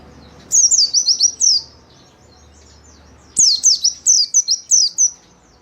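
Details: Caged white-eye singing in gacor style, a lure for training captive birds: two long runs of sharp, high, falling whistled notes delivered in fast succession, with a short silent stretch between them.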